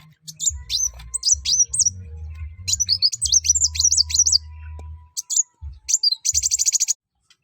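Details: Sunbird in full song, meant to stir other birds into singing: rapid high sliding chirps in runs, ending in a dense rattling trill, over a low rumble.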